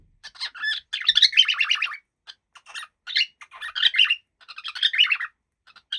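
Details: Happy pet cockatiel indoors chattering busily, with dense bursts of chirps, squeaks and scratchy notes broken by short pauses, ending in a final chirp.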